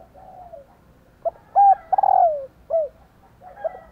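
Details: Female spotted dove calling to stir males into cooing: a low soft note, a clipped coo, then a long drawn-out coo sliding downward, followed by a short closing note, fairly quiet background.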